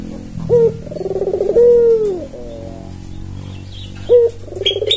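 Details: Red-eyed albino Barbary dove, tame and used as a lure, gives a short lifted note and a purring coo that settles and fades, then starts again; steady low hum underneath, faint chirps from another bird at the end.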